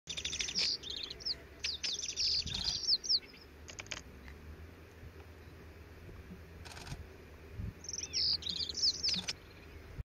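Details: Radde's accentor in the Aladağlar mountains, Turkey, 2020, an alpine rocky scrub area, sings two bursts of thin, very high, scratchy warbling notes with quick up-and-down slides, separated by a pause, over scattered clicks and faint noise.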